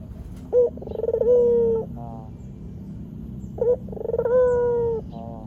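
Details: Barbary dove recording meant to lure wild doves into answering: two coo phrases about three seconds apart, each a short high note, a fluttering roll and a long level coo, with low background rumble.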